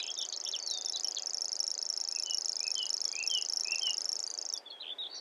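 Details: Grasshopper warbler song: a continuous high, insect-like reel, steady and dry, running for about four and a half seconds before stopping abruptly, with a few soft chirps from other birds beneath it.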